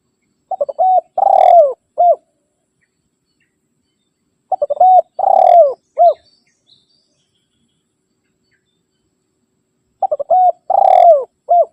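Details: Spotted dove challenge call used to draw in wild doves: three matching phrases about five seconds apart, each of stuttering short notes, a drawn-out rolling coo sliding down, then one brief closing coo.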